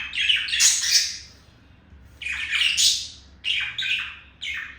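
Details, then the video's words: Male budgerigar courting a female: three loud outbursts of rasping, high chatter separated by brief pauses, ending in a few quicker sharp chirps. "Sound of seduction made by Olive the male budgie for Melody the female budgie"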